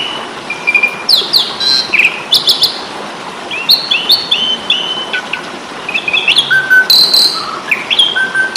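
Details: Asian pied starling in a fighting-style song for songbird training: varied whistled phrases, upslurs and downslurs, and harsh bursts delivered in a fast, continuous outpouring.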